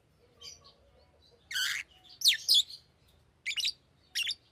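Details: Pet Fischer's lovebird calling with a few harsh shrill squawks and high sharp chirps spaced a second or so apart over quiet background hum.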